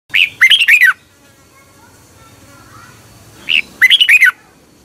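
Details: A red-whiskered bulbul from Thailand, recorded for training caged birds, gives two bright, bubbling phrases of four or five quick, down-slurred whistled notes separated by a short pause.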